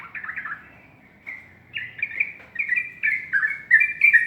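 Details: Sooty-headed bulbul singing in the morning, giving quick bursts of liquid, warbling whistled notes, about three per second, growing louder and brighter toward the end after a short lull.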